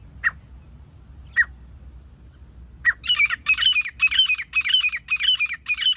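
Grey francolin: three single sharp notes, then a loud, harsh, ringing series of grating calls about twice a second. A thin high steady whine fades out early.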